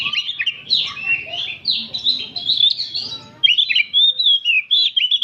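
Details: Several oriental magpie-robins in afternoon chorus for training; rich varied whistles and slurred phrases tumble one after another, a short lull, then a bright burst of quick rising and falling notes.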